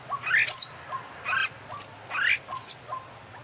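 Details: Oriental magpie-robin in lively 'gacor' song with 'full isian' fills, opening beak and tail: three rising buzzy phrases, each capped by a high sharp note, with quiet low chirps between.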